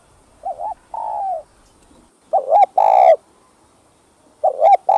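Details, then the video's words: Cooing spotted dove, sung in calling, urging and 'gù' styles to excite caged doves. Soft low coos: a falling drawn note, then a wavering double note and a loud full coo, with a third phrase starting near the end. "Tiếng Cu Gáy Giọng Hấp Dẫn ĐỦ BÀI [GÁY GỌI,THÚC,GÙ ] Kích Bổi Nhanh Nổi"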